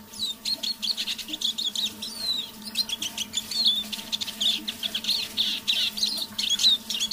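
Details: Evening half-voice song of a kept decoy Eurasian siskin: continuous twittering, quick chirps and sliding whistles with a few sharp high notes, steady low background hum.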